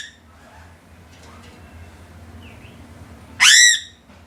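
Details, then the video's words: A crow gives a single loud, harsh, rasping call lasting about a third of a second, preceded by quiet background murmur. "Sound of the Crow"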